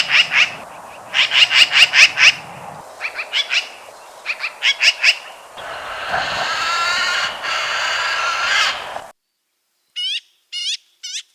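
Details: Magpie giving harsh, rapid chattering bursts in several runs, a long continuous rasping stretch, then a few short clipped higher notes after a pause.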